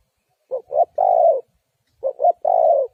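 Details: Spotted dove calling as a lure for trapping wild doves: two phrases, each two short low hoots followed by a long, slightly falling coo, with silence between and no other sounds.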